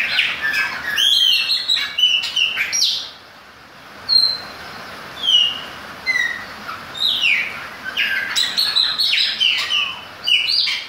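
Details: A Chopi Blackbird, apparently kept as a pet, sings in the rain: bursts of loud, liquid whistles and chirps, with a quieter middle stretch of single slurred notes, over a soft hiss of rain.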